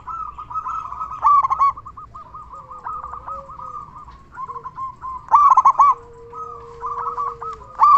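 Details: Local zebra dove with a loud, frequent voice, used as a lure to make other zebra doves sing. Loud bursts of fast staccato cooing notes come at about 1.3, 5.5 and 8 seconds, over continuous softer rapid cooing from other doves.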